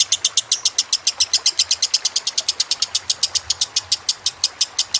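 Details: Kusumo lovebird over a gentle water trickle, recorded for training birds: a continuous run of clipped, high, metallic chattering notes, around six per second, with a faint low rumble underneath.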